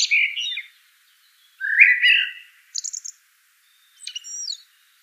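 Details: Mellow whistled warble of a common blackbird, followed by a sharp cluster of very high squeaky notes and a thin descending twitter, in otherwise silent surroundings.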